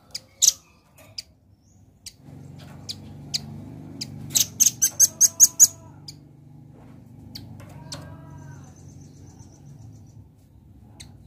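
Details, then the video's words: Red-billed nuthatch in lively song: scattered sharp high chips, then a quick run of about eight loud, even, piercing notes near the middle, more faint chips after, over a low steady hum. "Suara Rambatan Paruh Merah Gacor"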